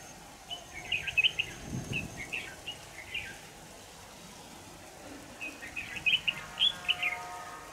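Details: Red-whiskered bulbul during a trapping session with a decoy bird, 25 November 2018. Rapid runs of bright, warbled chirps come in two groups, with a dull thump and light background hiss between.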